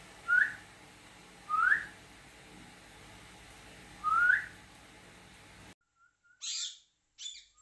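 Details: Tame pet cockatiel whistling with its owner: three clear rising whistles about one and a half seconds apart over room hum, then after a cut a faint whistle and two rough chattering bursts.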